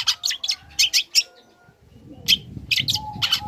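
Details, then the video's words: {'caption': 'Young long-tailed shrike singing to provoke other shrikes into song: quick series of sharp, scratchy high chirps, a short pause, then more clustered bursts over a low background murmur.'} "Cendet Muda Gacor Belajar Materi Bikin Cendet Manapun Auto Nyaut Emosi Ikut Bunyi"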